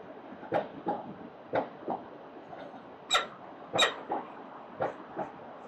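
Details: Peregrine falcon in Melbourne's CBD, 4 October 2020 at 09:29, giving harsh, scratchy calls, singly and in pairs, about one or two each second over a steady background hum.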